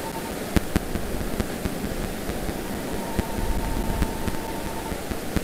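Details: Dense broadband rushing noise with sharp scattered clicks and a faint steady tone, recorded at De Mortel on 27 January 2022; no clear animal call.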